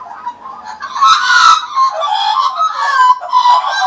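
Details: Several Australian magpies, regulars perched on a person's arm and knee, carol together in 2015. Overlapping fluting and warbling notes form a dense, continuous chorus with harsher, gravelly bursts throughout.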